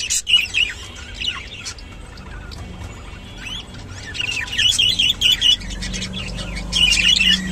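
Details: Rainbow budgerigar, kept birds, giving bursts of quick warbled chirps, several short trilled notes strung together, separated by quieter gaps of scattered chatter, over a faint low hum.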